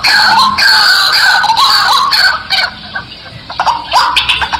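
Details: White-breasted waterhen lure call, used to attract wild waterhens: loud, harsh, harmonic notes repeated rapidly in a steady series, then breaking into shorter, choppier bursts toward the end.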